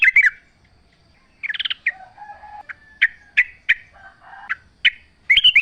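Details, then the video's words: Yellow-vented bulbul singing in a natural setting, giving short separated chirps and a quick stuttered burst, with softer lower warbles between the louder notes. "trucuk gacor full suara alam"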